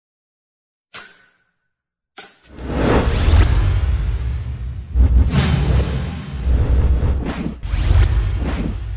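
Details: Brief silence, a sharp hit, then swelling music with whooshing effects, no animal voice heard.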